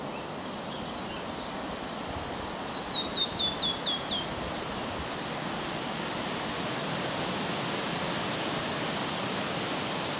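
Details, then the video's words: Red-breasted flycatcher singing north of Översjön, Järvafältet, Sweden, on a windy morning of 30 May 2011: a bright accelerating series of high descending whistles lasting four seconds, then steady wind rush. "Mindre flugsnappare (Ficedula parva)"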